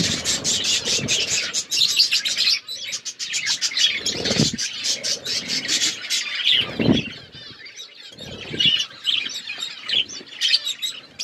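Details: Aviary budgerigars chirping continuously, a busy mix of high twittering and scratchy warbles, with several low muffled thumps or wing flutters breaking through the chatter.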